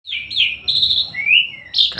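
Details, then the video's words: Asian pied starling singing actively: a short run of clear whistled notes, some level and some gently rising, in quick succession with brief gaps between phrases. "Burung Jalak Suren gacor.."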